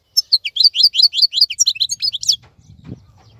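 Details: European goldfinch kept in a cage giving about two seconds of quick, high, twittering notes, followed by a low rustling or thud as the song stops.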